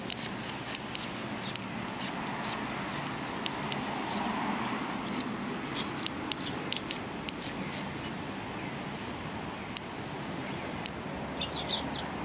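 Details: Sparrows gathering at a bridge for food on 14 January 2020. A run of quick high chirps fills the first half, then sparse clicks and a few late chirps over a broad murmuring background rumble.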